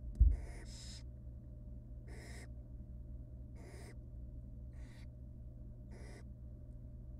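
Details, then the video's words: Nest-box barn owl young, wild, beg as their mother feeds them rabbit pieces; after a knock at the start come six short, harsh hissing calls at uneven intervals over a faint hum. "Female barn owl feeds her nestlings tiny pieces for over 20 Minute."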